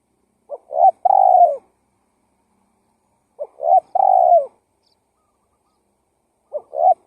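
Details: Spotted dove (tekukur) lure call used to attract wild doves: low, mellow cooing phrases of a short note followed by a longer rolling coo, repeated about every three seconds against a silent background.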